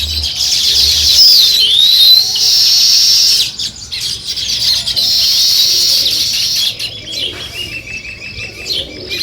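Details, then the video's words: Morning chirping of sparrows while weaver birds build a nest: loud, continuous high chatter with a swooping whistled note early on, easing into softer, broken twitters toward the end. "Sparrow Morning Chirping Sounds"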